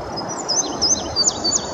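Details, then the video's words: Male indigo bunting singing from a treetop at Sandy Bottom Nature Park, Virginia, in early May 2019: high, thin whistled notes, several sliding down-and-up strokes in quick succession over steady background hiss. "Indigo Bunting singing"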